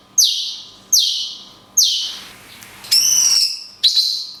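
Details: Cungkok singing its long 'kunti' shots with natural pauses, recorded for tutoring songbirds: three loud, high whistles each sliding steeply downward, then a buzzy, ringing rising note and a short sharp whistle, over a faint steady hum.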